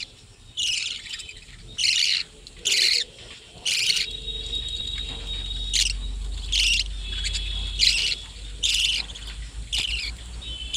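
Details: Budgerigars in a colony hut set up for breeding: a series of short grating chirps about once per second, louder at first, then softer, with a low rumble underneath.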